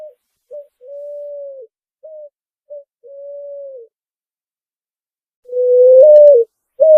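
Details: Picazuro pigeon song, clean and unedited: a quieter sequence of short notes and two long level coos, a pause, then a louder slightly rising coo and the start of another note.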